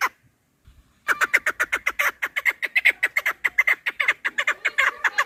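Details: Chukar partridge call beginning abruptly after a second of silence: a burst of clucking chuk notes at a brisk, steady pace, some overlapping as if two birds answer. Intended for partridge hunting.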